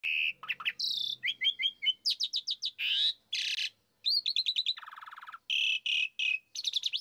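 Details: Asian pied starling (jalak suren) lure song, meant to set a kept bird singing hard: dense varied phrases of whistles, buzzy notes and rapid repeated chirps, rising and falling, with short pauses between bursts.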